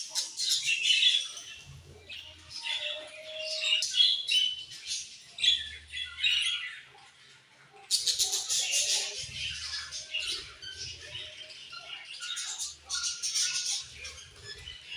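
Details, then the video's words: Several colorful budgies chirping together in busy, high-pitched twittering that rises and falls in loudness, with brief quieter gaps, faint low background hum and one short whistled tone. "Colorful Charming Budgies Chirping Sounds"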